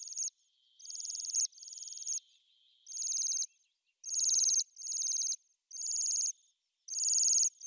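Bohemian waxwings giving high, thin, buzzy trills, each about half a second long, repeated in quick succession as several birds call together.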